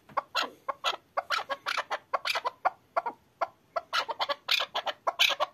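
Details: Chukar partridge kept for hunting, excited, uttering bursts of rasping chuk calls in irregular clusters with brief pauses between groups.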